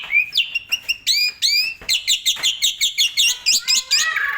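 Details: Asian pied starling delivering energetic 'gacor full isian' song used to train other songbirds. Bright rising whistles lead into a quick rhythmic sequence of short rasping notes, roughly a dozen in two seconds, before softer warbles.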